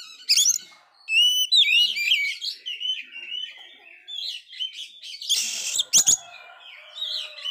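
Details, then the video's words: Oriental magpie-robin that failed to moult, singing vigorously: ringing whistled sweeps give way to a long varied chatter of mixed notes, with a loud harsh rasp and clicks near the end. "Kacer gagal mabung ini sangat gacor sekali"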